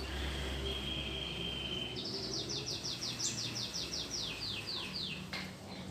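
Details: Domestic canary, a new caged bird kept at home: a long steady whistled note, then a rapid rolling trill of repeated descending high notes, with low background hum throughout.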